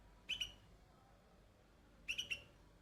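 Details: Two short, bright chirping bursts from a young bulbul among white flowers, each of two or three fast clipped notes, almost two seconds apart in a quiet setting.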